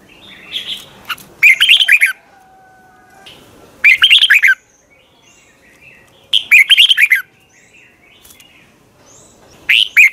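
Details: Red-whiskered bulbul singing in the morning in a long double twisted voice, a recording for training birds: four brisk bursts of bright, tumbling whistled notes separated by pauses of a second or more, with faint thin tones between.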